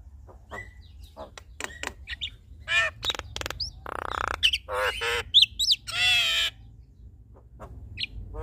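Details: Duet of a male and a female Javan myna: scattered clicks and short whistles, then loud harsh rasping bursts and nasal buzzy notes, with quiet pauses between outbursts.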